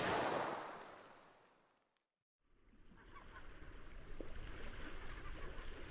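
Two high, rising whistled notes from a Long-billed curlew near the end, the second drawn out, following a rush of wind-like noise.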